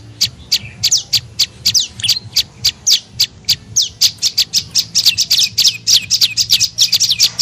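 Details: Lure call of the prenjak lumut, or tailorbird, meant to draw birds in: quick high chirps about three per second, each a sharp downward-sweeping note, steady and insistent over a low background hum.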